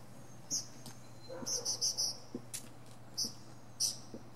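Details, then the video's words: Northern mockingbird singing from the top of a pine tree, a wild mini concert of varied sounds: short high chip notes in loose clusters, a few repeated in quick triplets, with a faint steady low hum beneath. "Northern Mockingbird goes thru his greatest hits!"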